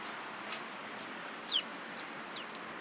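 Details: Sparrows gathering at food at a Tenmangu shrine on 24 March 2017; two short, high, downward-slurred chirps stand out about a second apart over a steady background hiss.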